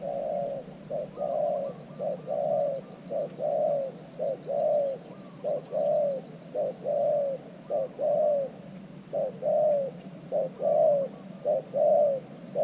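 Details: A spotted dove kept as a decoy near an earthen trap cage to lure wild doves. It gives steady low coos, a short note then a longer drawn-out one, repeated about once a second throughout.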